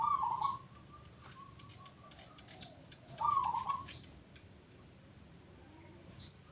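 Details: Actively singing local zebra dove delivers two rolling, trilled coo phrases, one at the start and one midway, while another bird adds repeated thin high chirps throughout.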